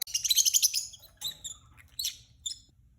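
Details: Peach-faced lovebird from a newly kept pair letting out a rapid rasping chatter of high notes, then three shorter shrill chirps, over a faint low hum.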